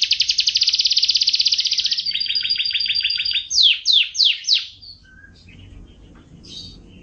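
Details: F1 canary song for training canaries to sing; a rapid buzzy high trill for two seconds, a lower rattling trill, then four loud swooping notes, followed by softer scattered chirps.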